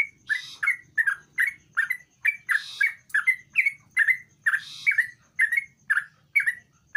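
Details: Sooty-headed bulbul giving energetic song to draw a silent bulbul into singing: rhythmic, liquid, down-slurred chirps in a continuous run, with some harsher noisy bursts between notes.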